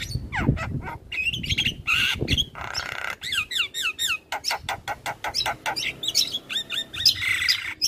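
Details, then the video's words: Lively Javan myna singing: harsh churring notes and looping whistles, then a long run of quick sharp chips and squeaky phrases. "Jalak kebo gacor"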